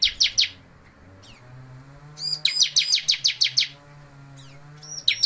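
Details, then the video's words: Energetic chirping bursts from a bar-winged prinia still in song despite moulting, each a quick series of sharp high notes, with pauses between and a low hum underneath. "Ciblek Gacor - Tetap gacor ngotot walau bondol"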